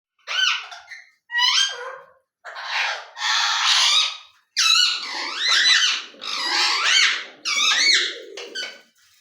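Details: ['Ring-necked parakeet talking indoors in a small room: a run of harsh, harmonic, chattering phrases of about a second each, some with rising and falling inflections, separated by short pauses.']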